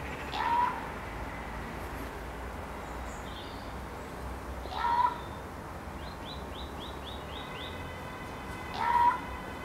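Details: A common raven calling from a tree in a garden gives three harsh croaks about four seconds apart, with a quick series of high notes from a smaller bird and a steady background hum.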